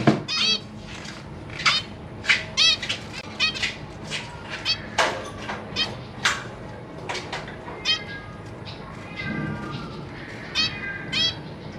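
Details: Captive zebra finches in a cage, a pair with three juveniles and three newly hatched babies, recorded 3 March 2023 while the parents fed the young: dense, repeated short nasal beeping calls from several birds, overlapping throughout.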